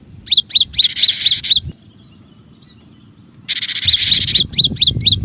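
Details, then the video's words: Cinereous tit singing vigorously, used as a lure to attract other birds: bursts of loud hooked whistled notes repeated about twice a second, alternating with harsh buzzy bursts, separated by a quiet pause. "suara pikat Burung gelatik batu gacor dan cocok juga buat pancingan gelatik batu yg susah bunyi"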